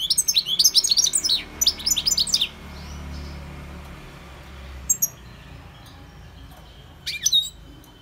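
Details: Wild goldfinch song of jumbled high chirps, sliding whistles and quick trills in two bursts. After a pause come a few isolated tinkling notes, with a low steady hum underneath.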